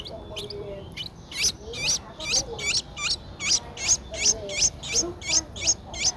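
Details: Streak-eared Bulbul nestling, 10 days old, in Ubon Ratchathani, Thailand, recorded 12 April 2023; high squeaky begging notes repeated steadily about every half second, each a short rising-falling chirp, with faint low background sounds.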